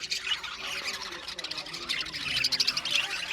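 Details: Budgies in an aviary colony, dense overlapping chirps and squawks, a busy high-pitched chatter with brief sharp whistled notes near the end.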